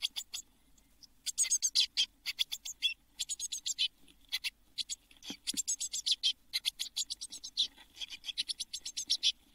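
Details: Seven Eurasian blue tit chicks inside a nest box in June 2022, shortly before all fledged at Midsummer: dense, scratchy, high chattering bursts in rapid runs, almost continuous, with short pauses between volleys.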